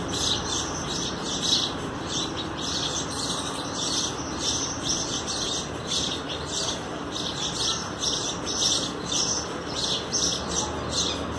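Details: Sparrow parents feeding their young at a nest box, where cooked rice with a little salt is placed below; dense runs of high, rasping chirps repeat almost continuously over a constant hum and hiss.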